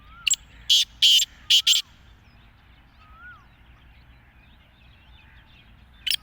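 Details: Kala teetar, the black francolin, utters a rapid grating phrase of five harsh notes, then falls silent while soft downslurred whistles of another bird sound faintly, ending with one more rasping note.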